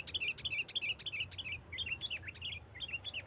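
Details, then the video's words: Sooty-headed bulbul in nggaruda tarung style, a lure for provoking rival bulbuls: a steady string of clear, dropping two-part whistled notes, about three per second, over a continuous low rumbling background. "Suara Burung Kutilang Gacor NGGARUDA TARUNG ini sangat Cepat memancing Kutilang LAIN Gacor...!!!"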